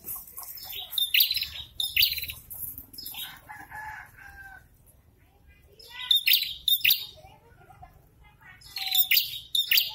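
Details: Prinia in breeding season, male approached by a female and answering in turn: scattered high, sharp chirps and twittering bursts separated by quieter gaps, with a few lower whistled notes.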